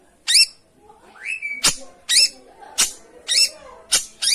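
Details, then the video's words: Long-tailed shrike singing, used as a lure to coax a quiet bird into song: loud, harsh, rasping high notes spaced about a second apart, with a short rising whistle between them. "suara pancingan burung pentet macet/malas bunyi"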